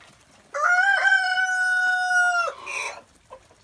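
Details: Free-range chickens let out early in the morning: a rooster gives one long, steady, harmonic-rich crow lasting about two seconds, ending in a short falling tail, with faint clucks after it.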